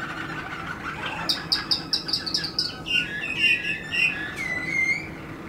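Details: Song of a Waterslager canary, 2016: a low whistled phrase, then a run of rapid high chirps, then a slower series of bubbling, water-like notes ending in a sustained whistle.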